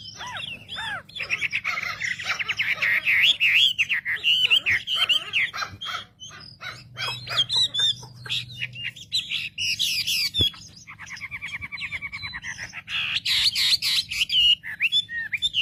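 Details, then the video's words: Wambi song as a lure to provoke other wambi: long, busy stream of rapid chattering notes, whistles and harsh rasping bursts, with a buzzy trilled stretch near the end, over a faint low hum. "pancingan suara wambi paling ampuh untuk memencing emosi burung wambi"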